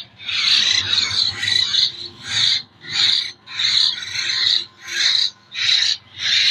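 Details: Begging rasps of a young common hill myna still hand-fed, local stock from Jember: hoarse, hissing bursts repeated around once every 0.7 seconds with short gaps, a faint low hum beneath.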